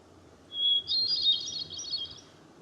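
Hermit Thrush song: one long, pure opening whistle, then a swirl of higher, ethereal flute-like notes lasting under two seconds, over a faint low hum.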